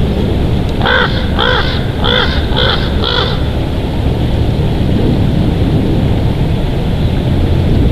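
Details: Wild bald eagle pair at their nest in Big Bear Valley, recorded on a nature cam on 18 February 2023 in the afternoon: five sharp, harsh, evenly spaced calls in quick succession over steady wind noise.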